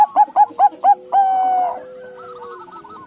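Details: Zebra dove, a crossbred Bangkok and local bird, with birds answering one another: a run of five short, evenly spaced cooing notes, then a longer drawn-out tone fading into softer, quieter trilled notes.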